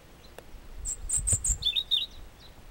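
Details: A European robin on a trail from Chamorga, Anaga, Tenerife sings a brief phrase of very high, thin notes dropping into a quick run of sweet, warbling chirps, over faint low background rumble.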